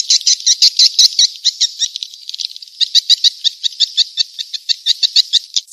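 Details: Edible-nest swiftlet calling sound to attract swiftlets: quick series of short, high, clicking chirps, several per second, in uneven bursts with a brief pause near the middle.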